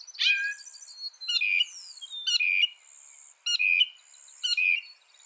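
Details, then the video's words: Varied mockingbird mimicry from a northern mockingbird tutor recording: a harsh burst, then squeaky, chirping notes repeated about once a second, with a quick descending whistle in between and faint high hiss throughout. "Masteran suara burung NORTHERN MOCKINGBIRE bisa merekam 200 suara"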